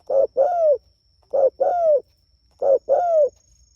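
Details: Spotted dove calling to its companions: three evenly spaced pairs of coos, each a short note then a longer, smoothly falling coo, clear and mellow.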